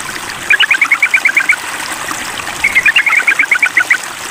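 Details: Sooty-headed bulbul calling a rival, giving two rapid series of bright chattering notes, each about a second long, with a pause between them and steady hiss behind.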